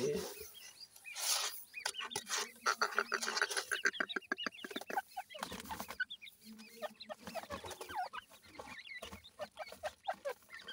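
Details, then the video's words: Dakhni teetar, a grey francolin, heard while its male and female voices are compared: a fast run of harsh, clucking, chattering notes builds between the second and fourth seconds, then irregular scattered calls follow over background noise. "dakhni teetar male female difference,voice checks titur"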